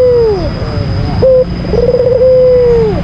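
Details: Albino Barbary dove provoking call: the tail of a falling coo, a clipped short note, then a rolling trill merging into a long level coo that slides down, with a thin steady whine behind.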